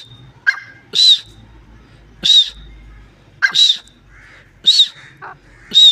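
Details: Partridge uttering loud, grating arched calls spaced about a second or more apart, with soft clucks and faint chattering between them over a low hum.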